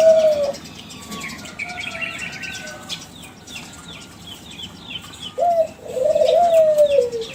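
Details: Young captive Kelantan spotted dove from a champion line, used as a lure for other doves. One coo opens, a long gap fills with distant small-bird chirps, then a rich wavering coo phrase returns.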